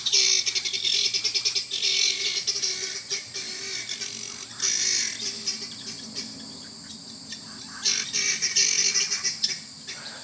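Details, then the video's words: A group of about eight guineafowl visiting a camp in wild eastern Senegal on the route toward Kédougou, very noisy: dense harsh rattling, chattering calls in bursts, continuous and overlapping, with a steady high hiss throughout. "nouveau jour nouvel épisode nouvelles aventures pintades sont venues écoutez comme elles sont bruyantes et il y en a probablement huit"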